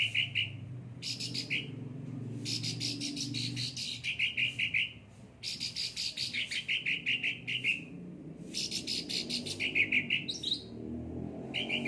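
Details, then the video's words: Cucak ranting, a well-kept and pampered bird, chattering continuously with rapid harsh rasping pulses and clear buzzy trills, over a soft low rumbling background. "gacor cucak ranting"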